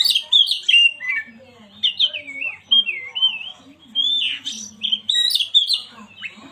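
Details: Oriental magpie-robin song used to stir a silent bird into singing: varied whistled phrases with slurred rising and falling notes, sharp chips and short pauses between bursts.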